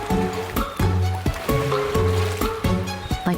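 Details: Rhythmic instrumental music with repeated plucked notes and low bass tones plays throughout, with no animal sounds.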